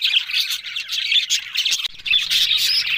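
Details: Talking budgerigars on October 1 give lively twittering warbles; a very brief break near two seconds, then the chirpy chatter resumes just as loud.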